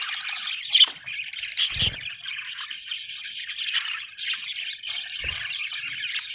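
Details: Happy budgies chirp in an unbroken chorus of high warbles and short squawks, with a couple of low bumps partway through.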